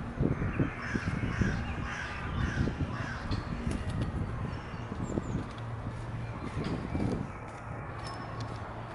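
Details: Rose-ringed parakeets give harsh, grating squawks in quick bursts early on, over a steady low rumble of city noise and wind, at the Jardin des Plantes, Paris, on 15 March 2019.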